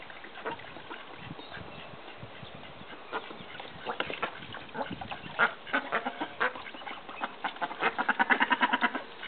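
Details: Australian bantam mallard call ducks flirting and mating: scattered soft quacks early on, building to a louder, faster chorus of harsh nasal quacks near the end.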